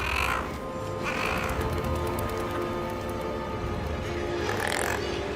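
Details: Parent Common Guillemot on a cliff at dusk calls to encourage its chick down ledges amid razorbill attacks: three drawn-out, wavering calls, the first at the start and the last near the end, over swelling orchestral music.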